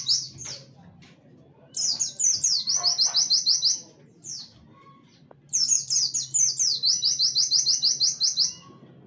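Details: Song of a warbling white-eye in 'tembakan wit wit kenari' style, for training songbirds: a few opening chips, then two long runs of quick, high, piercing repeated notes with rising slurs, quiet ticks in between.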